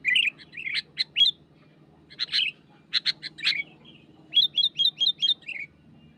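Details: Energetic song of a wild sooty-headed bulbul pressing a rival: gurgling warbled notes, a cluster of sharp chirps, then a rapid run of five clear repeated whistled notes ending in a lower slur, low hum beneath.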